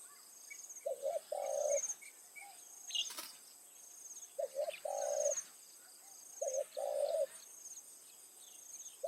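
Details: Evening decoy trapping of spotted doves in Thai rice fields, with the decoy bird calling to lure wild ones. Three cooing phrases, a double short note then a longer purring coo, spaced about three seconds apart. Insects and a sharp click.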